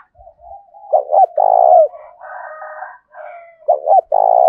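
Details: Low rhythmic coos from a 'thổ'-voiced spotted dove used to incite wild doves and decoys to fight: two phrases of stuttered double notes and a long falling coo, separated by softer cooing from other doves.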